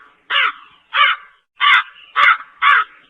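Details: A slender-billed crow calls five times with coarse, grating caws, spaced slightly unevenly, some nearly back to back, against silence.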